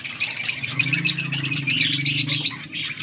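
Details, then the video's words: Budgies in continuous fast chatter, a buzzy, grating warble of rapid notes with no break, over a low droning hum. "Budgies sounds for lonely birds birds chirping sounds"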